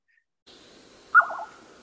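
A Jerdon's nightjar gives one short, liquid call: a sharp start, then three or four quavering waves that fade away. A faint hiss lies underneath.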